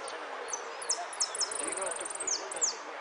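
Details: Contest saffron finch at Monte Grande, 03 11 13, giving repique song: high sharp descending chips, a brief buzzy trill mid-phrase, then two more falling notes, over a background of voices.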